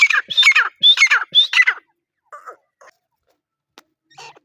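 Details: Harsh, ringing calls of a grey francolin (teetar): three quick doubled phrases with high whistled rising notes over about two seconds, followed by a few soft chirps and silence.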